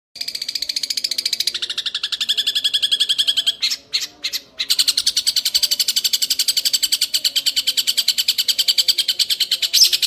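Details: Young Long-tailed Shrike giving a long ngekek call: a rapid, harsh, buzzy chatter of evenly repeated pulses that runs almost continuously, broken by a short pause near the middle.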